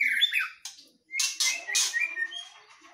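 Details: Singing duel of white-rumped shamas from Medan and Nias, the Nias bird forest-caught. A brief whistled phrase, a short silence, then harsh bursts mixed with thin whistles.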